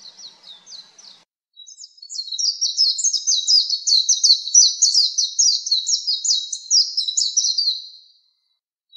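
Oriental white-eye singing a long, rapid, high-pitched twittering warble of quick chirped notes, continuing for about six seconds after a brief opening phrase, with no other sounds.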